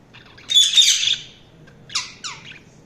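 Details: A single harsh, raspy budgie squawk followed after a pause by two quick, sliding chirps dropping in pitch.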